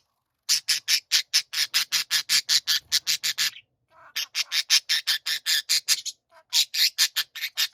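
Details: Several pet budgerigars chorusing together with loud rasping, scratchy pulses repeated rapidly in long runs, broken by two short pauses before the grating rhythm resumes.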